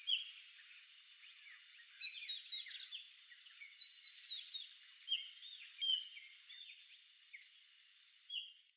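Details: Sayaca tanager singing a high, squeaky twittering run of rapid up-slurred and chattering notes, sustained for about four seconds, then a few softer scattered chirps and a brief final burst, over a constant faint high hiss.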